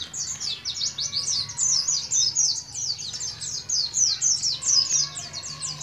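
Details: Oriental white-eye, young and caged, from Moga, Pemalang, Central Java, learning the rolling ngalas ngeroll style; a sustained run of very high, fast, sharp twittering notes.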